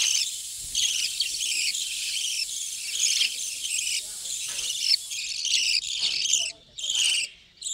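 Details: Budgerigar breeding colony in a hut, many birds chattering at once: a continuous dense warble of scratchy high chirps, ending in a few separate bursts with brief pauses.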